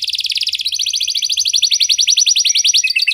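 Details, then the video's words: Canary singing in the 'cengkok mewah' luxurious style, meant to get other canaries to sing: a continuous fast trill, its notes shifting slightly higher partway through, ending with a few quick chirps. "Burung Kenari Mana Saja Pasti Ikut Gacor Setelah Dengar Kenari Cengkok Mewah Ini"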